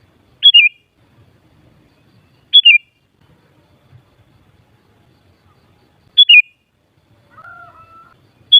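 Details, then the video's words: Sooty-headed bulbul calling with brief, chirpy, falling phrases, four in under nine seconds at uneven spacing, plus a softer sustained tone near the end. "Suara Burung Kutilang Paling Ampuh Untuk Menaikan Emosip Jadikan Kutilang Gacor Nyaut"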